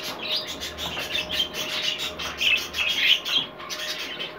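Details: Rainbow clearwing budgerigar, a captive colour variety, giving soft warbling chatter with short chirps over four seconds, busier and brighter near the middle, with a faint low hum beneath.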